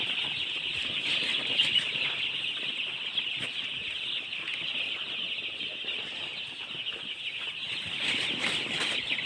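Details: Young chickens produce an unbroken, shrill chorus of rapid overlapping peeps, steady in loudness, with faint clicks and rustling beneath.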